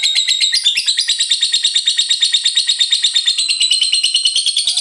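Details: Lovebird giving full ngekek, a continuous chattering song: loud, high, buzzy chirps pour out in a fast, unbroken stream of roughly three pulses per second, pitch wavering slightly throughout.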